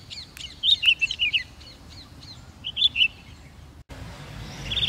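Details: Chestnut-bellied nuthatch (Sitta cinnamoventris) calling at the old HMT factory on the Sattal bypass road, India, 5 November 2022: a quick run of five sharp, high chipping notes, then two more after a pause, over faint background chirps.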